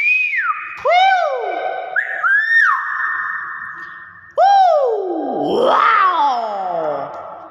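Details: Common hill myna producing a series of loud, rich whistles with strong overtones, sharp upward swoops and long downward slides, ending in a wavering, tumbling phrase; indoors.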